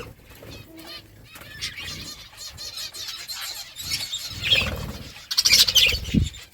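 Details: Pet budgerigars chirping while eating food; busy warbling chatter builds through the middle, with sharp clicks and pecking noises at the end.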